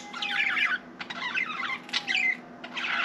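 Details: Pet budgerigar indoors, apparently trying to talk: bursts of scratchy, warbling chatter with brief squeaky notes, separated by short pauses, over a faint steady room hum.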